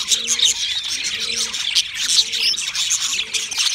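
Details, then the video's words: Busy warbling chatter from several pet budgerigars, scratchy chirps and squeaky notes tumbling together, with a quieter low hooting tone returning about every second. "Singing Sounds My Budgies Birds"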